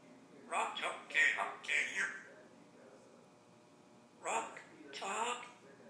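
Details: Pet African grey parrot mimicking human speech, saying "Rock Chalk Jayhawk KU": a few raspy, voice-like syllables in quick succession, a pause, then two more speech-like phrases, in a quiet room.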